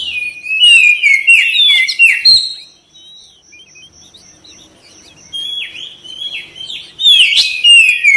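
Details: Oriental magpie-robin (kacer) singing, used to stir other birds into song: quick twittering whistles, then a thin steady high tone and near silence, then loud swooping whistled phrases return.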